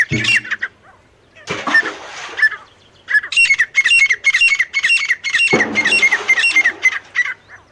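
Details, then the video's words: Calls of a male and a female partridge (teetar): scattered harsh notes at first, then from the third second a fast, steady run of loud, ringing, rasping notes repeated about twice per second. "नर और मादा तीतर साउंड। Male teetar and female teetar voice."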